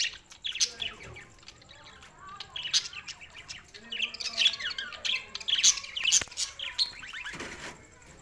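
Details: Several budgerigars, June 7, 2024, Larkana, Sindh: dense twittering chatter of rapid chirps and rasping notes, building louder toward the middle, overlapping voices with a thin continuous high tone behind.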